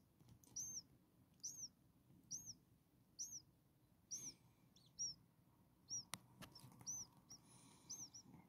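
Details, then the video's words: Common starling nestlings, six hungry babies a few days old, giving soft high squeaks repeated roughly once a second in a steady series, with faint background hiss. "Hungry Six Starling baby birds"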